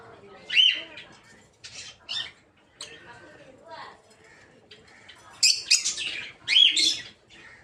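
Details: Captive peach-faced lovebirds in an aviary for breeding, mixed colour varieties, give spaced harsh screeches, a quieter middle stretch of soft rasps, then a loud cluster of shrill, squealing calls.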